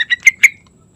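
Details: Yellow-vented bulbul in the morning, a lure to get other birds singing: four quick, rising, emphatic notes within half a second, the last two strongest, then quiet.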